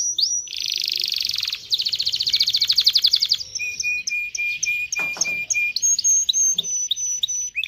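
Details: Canary song for prompting male and female canaries to breed: loud buzzy rolling trills, then steady low whistled tones under repeated high thin chips.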